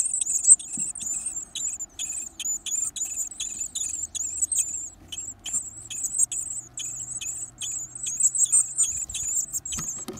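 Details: Hungry Varied tit nestlings during feeding keep up a shrill, high-pitched begging, broken into quick pulses and short rapid bursts, with a faint low hum partway through.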